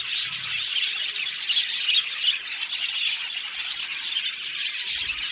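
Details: Budgerigar colony of about 70 pairs in an aviary: loud mass chirping with scratchy squawks and short shrill notes, continuous and dense, faint low thumps at start and end.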